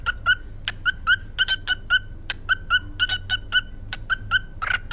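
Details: Pet parrot uttering a fast sequence of brief clipped chirps and yelps, roughly evenly repeated with a few closely doubled notes, against a quiet low background.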